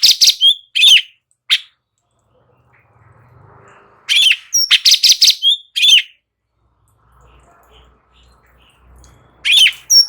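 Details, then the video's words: Persistent song of a light-vented bulbul, recorded as training audio to make other birds respond: loud bursts of sharp, rapid chattering notes, grouped into three phrases with quiet gaps and faint low background noise between them. "Cucak Cungkok NGEBERN , Apapun Burungnya LANGSUNG NYAUT dengar MASTERAN ini"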